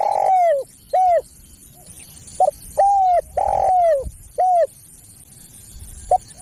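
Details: Spotted dove used as a lure for other doves: a quick series of long and short coos with slightly falling endings, then quieter with a final brief note; light hiss behind.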